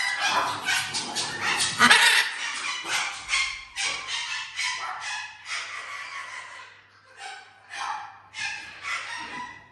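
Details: Indoor parrot sharing a home with exotic pets gives a long run of loud, rasping, barking-like squawks, dense at first, then spaced into separate bursts with short gaps.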